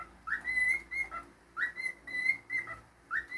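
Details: Pet cockatiel indoors giving a repeated whistled tune, each phrase opening with a rising swoop into steady clear notes and ending lower, three phrases, with faint room hum underneath.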